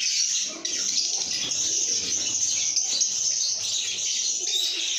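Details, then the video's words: Happy lovebirds chattering: an unbroken stream of shrill, overlapping chirps and whistles, with faint low murmuring notes in the background. "lovebirds make happy sounds"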